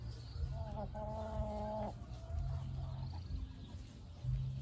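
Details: ['Brahma rooster, a giant breed, giving a drawn-out harmonic crow of about a second and a half, steady in pitch after a short rising start, over a constant low rumbling hum.']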